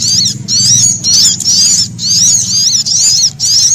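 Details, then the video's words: A sunbird in fear, calling as if threatened, with prinia calls mixed in. High, quavering squeals run in dense clusters separated by short breaks, while a low hum sounds underneath. "Suara Burung Sogok Ontong Kombinasi Prenjak Atas Ketakutan"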